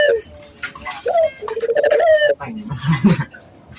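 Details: Barbary dove coo used to coax local doves into cooing. A rising opening note leads into a steady vibrating purr lasting about a second. Softer, lower murmuring sounds follow.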